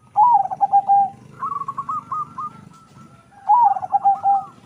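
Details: Zebra dove bred from local and Bangkok stock sings two loud, deep rolling coo phrases sliding downward, separated by a softer run of quick trilled coos.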